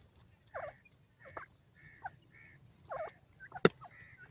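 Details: Grey francolin, locally called Dakhni Silver Teetar or Bangi Teetar, singing in the wild: a series of short harsh rising-falling notes, about four phrases spaced roughly a second apart, with a sharp click near the end.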